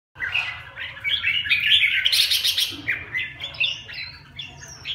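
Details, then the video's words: Red-whiskered bulbuls bullying each other, a busy stream of bright chirps and harsh squawking notes, dense and overlapping, swelling loudest around the middle with a brief burst of high hissy noise. "Căng nhà thui... Bắt nạt nhau"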